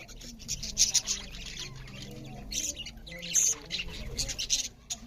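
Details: Several budgerigars chirping as they feed; grating, high warbled chirps in clustered bursts with a few squeaky whistles, over a low hum.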